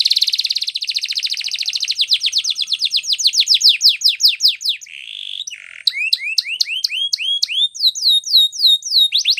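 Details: Canary singing a training song, opening with a rapid, rattling trill of high notes, then a short pause and a series of looping, downward-swept whistled phrases.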